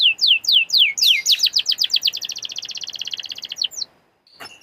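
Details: Canary singing as a lure for other canaries: several swooping descending whistles speed up into a rapid, even trill of about four notes per second, then stop abruptly, followed by a faint click.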